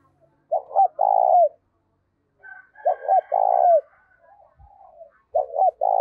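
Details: Low cooing of a decoy spotted dove with 'giọng thổ' voice for attracting wild doves. Three phrases of two short notes and a sustained one, with faint higher calls of other birds between them.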